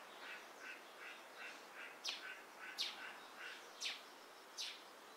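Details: Dusky thrush (Turdus naumanni eunomus) at Gaikotsu-yama, Japan, on 27 January 2021: four sharp, loud, downward-slurred calls, about one every second. A steady chatter of softer chirping notes runs through the separately recorded, substituted ambient background.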